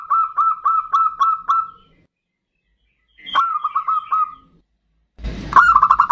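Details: Bodronoyo zebra dove song used as a lure: a run of six even cooing notes, silence, a second run starting with a sharp click, then a louder rapid series after a burst of noise.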